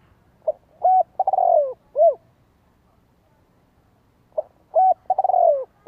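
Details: Spotted dove lure call in the thổ đồng voice style, used to excite decoy birds. It is a low, hollow cooing phrase of a short note, a rising coo, a long drawn descending coo and a final coo, repeated after a pause.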